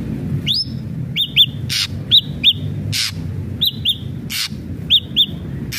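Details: Ashy drongo giving paired, arched whistled notes between loud harsh rasping bursts, in a loose repeated pattern over a low background hum.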